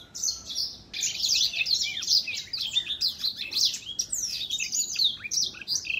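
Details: An older black-throat songbird singing, recorded in 2021: a fast, unbroken stream of high chirps, twitters and sweeping whistled notes with rapid rising and falling slurs, continuous throughout with almost no pauses.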